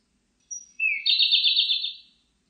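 Siberian blue robin: a thin high whistle and a short rising note, then a fast, even rattling trill for about a second. No other sounds.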